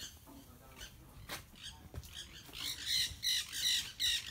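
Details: Parrots calling from trees: rough, harsh squawks building in the second half, several loud bursts about every half second with whistled tonal notes; an earlier faint chatter and low background rumble.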